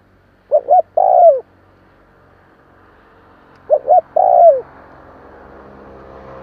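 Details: Spotted dove call for stimulating newly caught birds, two phrases roughly three seconds apart, each two clipped coos then a sustained downslurred coo, with rising background noise afterwards.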